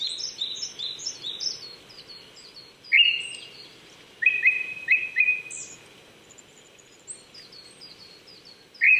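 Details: Wild Japanese thrush in the Chichibu hills of Saitama, Japan, at 800 m elevation, April 2019 morning. Rich fluting phrases break in suddenly, several in quick succession, over a backdrop of high, repeated chirps from other birds.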